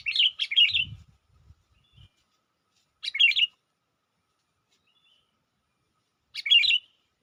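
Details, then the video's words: Sooty-headed bulbul calling to lure wild bulbuls, giving brief warbled, bubbly chirp phrases roughly every three seconds, the first one longer, with some low rustling thumps early on. "suara burung KUTILANG PIKAT gacor/PIKAT KUTILANG memanggil kutilang liar"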